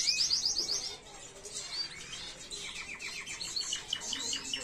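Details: Tutor song of a canary for young birds, 2022: a short high rattle opening into a jumble of varied chirps, slurred whistles and quick rolled notes at moderate volume.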